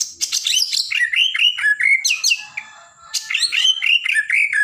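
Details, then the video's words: White-rumped shama of the blorok type singing energetically, used to stir up other birds: rapid strings of loud slurred whistles and sharp high chirps, a brief pause near the middle, then the fast varied phrases resume. "Murai Batu Blorok Gacor"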